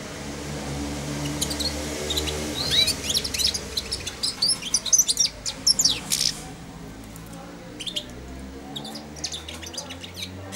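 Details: Young European goldfinch, four months old, kept in a cage and used to eating from the hand, giving rambling subsong: rapid high twitters and chirps for six seconds, then sparse clicks and faint notes.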